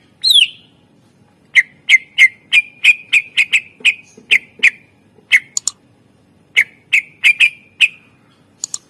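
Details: Greater green leafbird, a kept bird used as a training recording to lure other birds into song, giving a rapid series of sharp chip notes near the same pitch, some slurred, in bursts with short pauses; low background hum.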